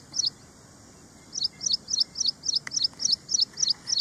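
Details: Ashy prinia: one chirp, a brief silence, then ten bright, high, doubled notes repeated steadily about three and a half times per second, with a single click midway.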